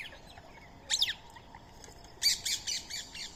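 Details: Indian ringneck parrot at daily feeding time, sharing a meal of soaked rice and corn with a squirrel; one sharp high screech, then a quick run of five harsh, high-pitched squawks, with faint background hiss.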